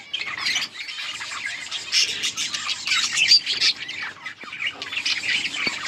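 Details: A group of yellow budgerigars, recorded August 20, 2024, twitters and warbles nonstop. Bright chirps, scratchy notes and occasional sharp squeaks overlap in a lively flock chorus.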